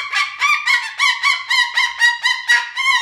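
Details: Cockatoo on a playground tower sounding a loud harsh alarm, rapid raucous squawks repeated roughly four times per second without a break.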